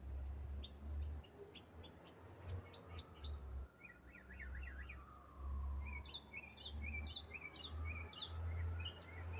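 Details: Autumn song of a single songbird that sings for minutes without stopping: rapid clipped chirps, a buzzy zigzag trill, then bright high whistled notes, with a steady low hum and a faint sweeping tone beneath.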